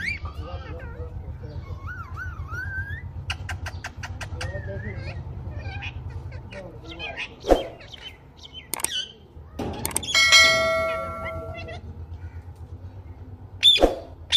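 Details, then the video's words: Talking green parrot kept as a pet: wavering, meow-like tonal calls early on, scattered sharp clicks and squawks, then a held tonal note and a final harsh squawk over a steady low hum. "Parrot Chirping sound / voice | Tota Ki Awaz | Talking Mithu Mithu sound"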